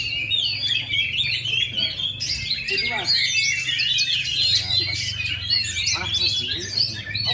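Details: Oriental magpie-robin that skipped molting for 2.5 years still singing strongly, a sustained torrent of rapid high whistles, rattling trills and chirps, over a steady low hum.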